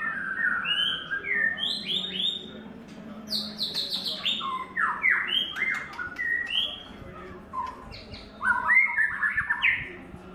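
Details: Lively white-rumped shama song from a bird in its third molt. Clear whistles mix with fast clicking chips and sharp downslurred notes, roughly four elements per second, ending in looping warbles.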